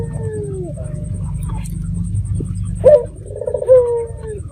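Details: Local red-eyed dove used as a lure call to provoke other doves to answer: smooth, tonal, gently falling coos, with a sharper rising note near the end, over a steady low rumble.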